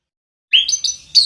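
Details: Orange-headed thrush kept at home, singing a brief phrase: a rising whistled slur followed by three clear, slightly buzzy notes.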